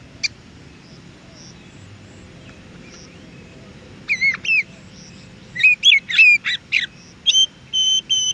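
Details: Wild Oriental magpie-robin (kacer) song, played to captive birds to provoke a response; after a quiet start, short clusters of sharp whistled and chattering notes, then a fast run of varied phrases ending in flat steady whistles.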